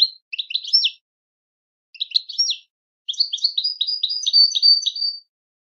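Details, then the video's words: European goldfinch song: two brief jumbled twittering phrases, then a longer run of rapid, liquid repeated notes alternating high and low, bright and tinkling, in a clean quiet setting. "Motivational Techniques for Beautiful Melodies Your Goldfinch's"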